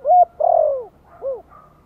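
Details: Gentle Giọng Thổ-style lure call of a spotted dove from Vietnam, meant to stir newly kept birds: a clear short coo, a drawn-out falling coo, and one brief final coo.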